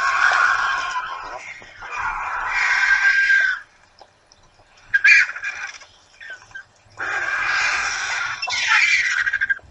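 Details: Hundreds of vultures gathered at breakfast time at a feeding site at Torre de Tamúrcia, where birds of prey are fed twice a week: loud, harsh, hissing screeches in long rasping bursts, a quiet gap, then more squabbling noise.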